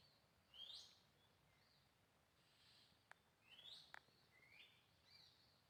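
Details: In the wild at Purworejo, Java, a female Oriental magpie-robin, restless while feeding chicks in a coconut-tree nest, gives a few clear, rising whistled 'sweet' notes spaced irregularly, with two sharp ticks and steady hiss.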